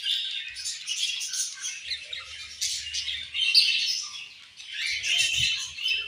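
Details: Busy high chatter from colorful budgies, with squawky, buzzy chirps overlapping throughout, fading briefly before picking up again.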